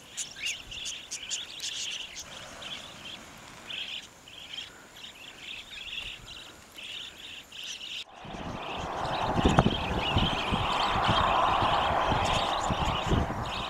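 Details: A wild budgerigar flock beside the Old South Road on Easter Saturday 2014 chatters with fast, high chirps and warbles, with cockatiels, a passing car and wind also heard; loud wind then takes over.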